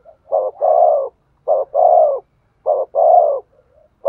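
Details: Repeated coo of a spotted dove meant to stir up a male: brief low note then a longer steady hollow coo, phrases roughly every 1.2 seconds, with no other sounds.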